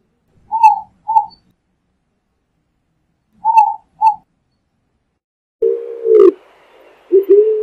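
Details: Eared dove song: two pairs of short mid-pitched coos, then lower, longer hollow coos with faint hiss behind them.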